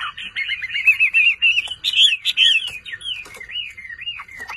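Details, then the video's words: Chinese hwamei kept for its song delivers a fast run of rapidly repeated trilled notes, then loud slurred phrases and slow, wavering whistles that dip and rise. "HỌA MI CỦA AI MÀ HÓT QUÁ ĐỈNH ANH EM ƠI"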